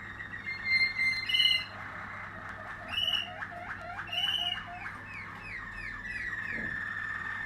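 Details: Waterslager canary of a 2020 strain singing a steady rolling, bubbling trill around a mid-high pitch, broken by bright bell-like notes near 1.5, 3 and 4.3 seconds and a run of short descending glides toward the end.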